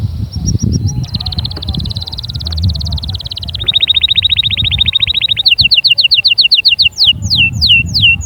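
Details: Canary singing meant to get chicks singing and females ready: sustained buzzy trills shifting in pitch, then a string of crisp falling whistles, with low background rumble.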